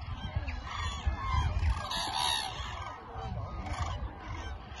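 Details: A large flock of Eurasian cranes at Lake Hornborga, Sweden, a spring migration stopover, gives a dense chorus of overlapping trumpeting, bugled calls over a steady low rumble of wind.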